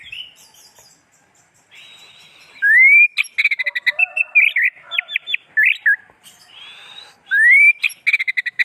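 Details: Kept orange-headed thrush singing vigorously: a varied run of clear whistles, rising slurred notes near the top of its range, and quick stuttering chirps, broken by short pauses and a repeated upward-sweeping phrase.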